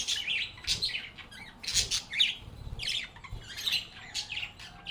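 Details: A group of cheerful budgies singing and chattering, giving repeated clusters of high scratchy squawks and warbled chirps about every half second, several birds overlapping.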